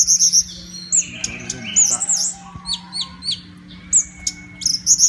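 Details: Orange-headed thrush kept for songbird contests, in top form before being hung for judging, delivers rapid sharp high-pitched chirps and looping whistled figures in short repeated bursts, against a steady low hum and chatter of other caged birds.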